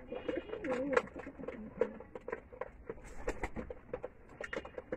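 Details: Loft pigeons in Bangladesh at feeding: a short burst of low, bubbling coos near the start, followed by rapid tapping and pecking clicks as grain is eaten.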